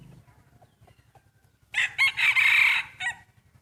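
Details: Rooster crowing in a crowing contest between breeding cocks: after faint clucks, one loud hoarse crow of about one and a half seconds with short opening syllables, a long drawn-out middle and a clipped final note.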